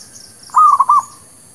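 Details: Zebra dove lure song for trapping: a single short phrase of three or four soft, even cooing notes, the final note drawn out, with a faint high hiss behind.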